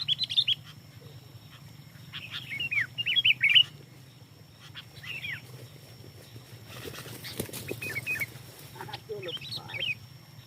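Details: Lively singing of a sooty-headed bulbul, a bird-luring recording. Short bubbly warbled phrases come in bursts every second or two, high and twisting. A brief rushing noise sounds midway over a faint low hum.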